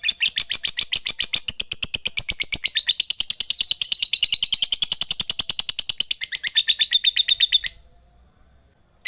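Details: Lovebird of fighter type calling out to rivals, used to stir silent lovebirds into singing; a long unbroken ngekek, rapid shrill chattering repeated many times a second for nearly eight seconds, then stopping abruptly.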